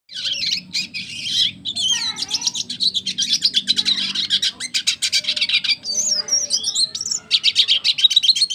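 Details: Red siskin of the double dilute colour form in full, vigorous song. It pours out a rapid, dense twitter of high chirps, buzzy trills and quick whistled notes with brief pauses between bursts.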